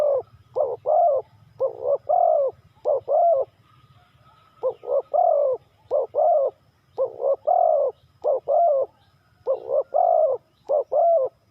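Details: Spotted dove, three-kuk hanging style, giving grouped phrases of two or three hoarse, low coos separated by short pauses, with a soft low rumble behind.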